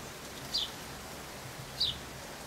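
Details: Red-billed firefinch of the nominate subspecies senegala, recorded at Saly, Senegal, in April 2010: two short, high, slightly descending notes about 1.3 seconds apart, over faint low background noise.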